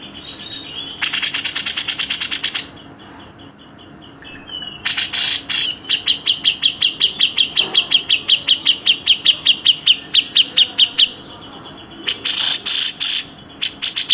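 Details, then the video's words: Grey-cheeked bulbul tutor recording with coarse 'besetan kasar' rasps: long harsh hissing bursts, then a quick string of ringing high chirped notes. A final harsh burst closes the passage against steady background hum. "masteran Tembakan Rapat Besetan kasar cucak jenggot"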